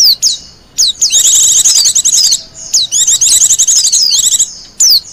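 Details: Wild Japanese white-eye singing, a recording meant for luring birds and as a master song for training: rapid bursts of high, thin chirps and sliding whistles, with bright descending notes between dense twittering runs.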